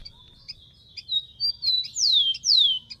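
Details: Song of a wild rufous-collared sparrow: thin steady whistles, a few short notes, then two strong sweeping whistles that drop sharply in pitch, over faint low hum.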